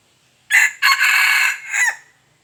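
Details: One crow from a wild junglefowl: a brief loud opening note, then a steady hoarse prolonged phrase and a final short falling note, roughly 1.5 seconds, with little else audible.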